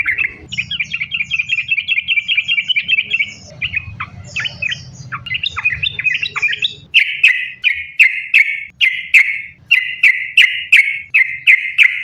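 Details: Continuous chattering song of a sooty-headed bulbul, used to trigger singing: a long fast trill, a varied jumble of notes, then loud sharp chirps repeated about every half second.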